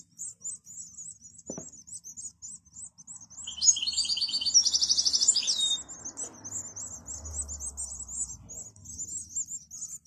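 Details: Captive-bred young European goldfinches make continuous high twittering chirps. In the middle comes a loud, rapid, buzzing trill lasting about two seconds. The chirping then carries on. Faint low background hum.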